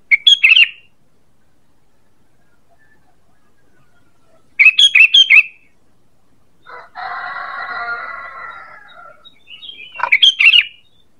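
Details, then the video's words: A sooty-headed bulbul gives a call used as a lure: short bursts of bright, bubbly notes about every five seconds, with a rougher chattering phrase between them. "Suara PANGGILAN dan pikat ampuh burung KUTILANG"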